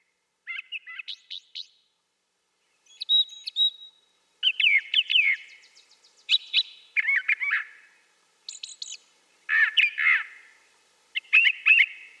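A brown thrasher sings a string of varied, rich phrases, some buzzy and some whistled, each a second or so long with short pauses between, over a quiet background.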